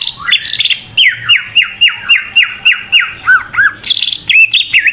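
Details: Greater green leafbird lure song to get other leafbirds singing: a rhythmic series of loud, downward-slurred whistles, about four per second, some lower looping notes, ending in higher bright phrases.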